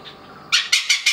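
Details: A male Oriental pied hornbill foraging in the morning at a resort in Kaeng Krachan, Thailand, gives four loud, harsh, yapping cackles in quick succession, about five a second, after a brief quiet moment.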